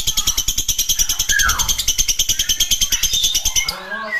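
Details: Ngekek, the long chatter of a lovebird: quick, evenly spaced, high, buzzy pulses about eight per second, with a few sliding whistled notes mixed in near the end.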